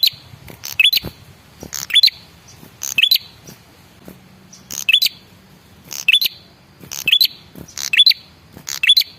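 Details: Red-headed prinia male lure call to provoke answers: short bursts of hissing and thin rising whistled notes, spaced one to two seconds apart, with brief pauses between groups.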